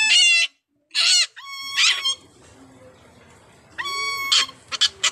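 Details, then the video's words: A blue-naped parrot and a racket-tailed parrot "duet", trading loud, harsh, harmonic squawks, five or six bursts in five seconds, with quieter chatter in between. "Bnp and Rocketail parrot 'Duet'"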